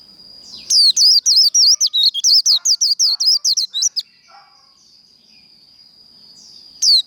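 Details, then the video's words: Japanese white-eye (vành khuyên) in líu đấu fighting song: a rapid chain of high, wavering, twittery notes, about three or four each second for three seconds, then a thin steady high tone with one final note. "Vành khuyên líu đấu"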